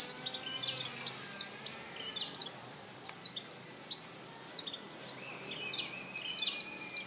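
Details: Oriental white-eye singing: a lively stream of very high, thin, downslurred chirps and twitters in quick clusters, with short pauses between bursts and a soft steady hiss behind.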